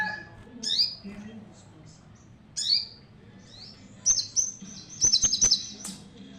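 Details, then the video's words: Javan cochoa singing a full, intense song, with sharp downslurred whistles repeated at intervals, then a fast run of high, clipped buzzy notes near the end, over a low background hum. "Sogon Nembak Full Bremm"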